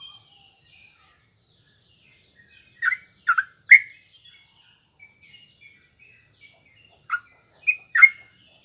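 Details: Sooty-headed bulbul kept as a cage bird, singing in the morning to make rival birds answer; clusters of short liquid bubbling notes in two bursts, separated by several seconds of faint twittering.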